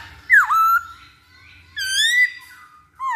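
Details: Lure recording of masked laughingthrush meant to set birds singing fast: a loud down-up swooping whistle, a long bright rising whistle with rich overtones, then a falling note, with quiet pauses between.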